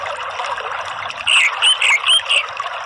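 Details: Orange-headed thrush in ngeplong lure singing, meant to draw song from other birds: a rapid run of bright, slurred whistles over a continuous trickling noise.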